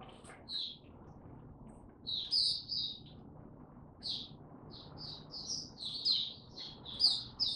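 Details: Oriental white-eye (mata puteh) singing in tiong aw style after sleeping late the previous night, recorded 25 January 2022: bursts of high, sweet chirping twitters, short groups separated by pauses, over a low background hum.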